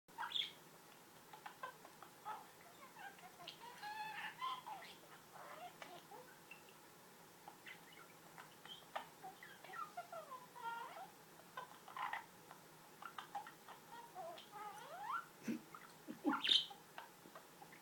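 A budgerigar chatters with quick, scratchy warbles and sharp chirps in a steady stream.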